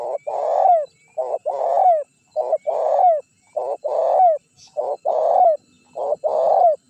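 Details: Spotted dove decoy recording meant to lure wild birds and prompt rivals to answer. Steady coo phrases repeat about once a second, each a brief note followed by a longer, fuller, slightly falling coo, with a clean background.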